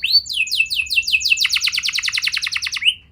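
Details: Canary song meant to trigger young canaries into singing, with a run of downward-swept whistles giving way to a fast, buzzy rolling trill, ending on a rising upslurred note.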